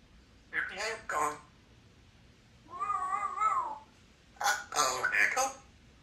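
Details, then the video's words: A 3-year-old female Congo African Grey Parrot, a talking pet, gives three short, voice-like bursts indoors at home over six seconds. The middle burst is a drawn-out, meow-like wail. "African Grey Talking Parrot"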